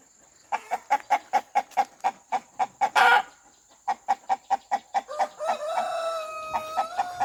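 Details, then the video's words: A rooster communicating in a farmyard gives rapid, regular short clucks interrupted by a harsh squawk. Toward the end the clucks give way to a drawn-out, wavering tonal call. "Rooster Clucking"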